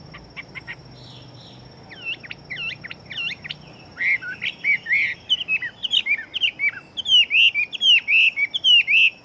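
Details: Big-bodied fighting Chinese hwamei singing rapidly. The song opens with thin, quick ticking notes and sharp downslurs, then swells into loud, bright whistled phrases that repeat quickly.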